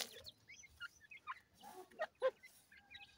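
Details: Grey partridge chicks at play give short, scattered peeps and chirps at mid pitch, several quick notes overlapping, with a couple of louder squeaky calls near the end.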